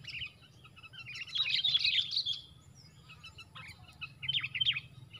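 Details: Fighting sooty-headed bulbuls, four against one: a dense, scratchy chatter of quick notes, then a pause with faint chirps, then a second shorter burst of harsh twittering over low steady hum.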